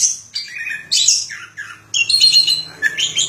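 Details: Orange-headed thrush singing: varied phrases of high whistles and chattering notes, some sliding downward, with short pauses between bursts.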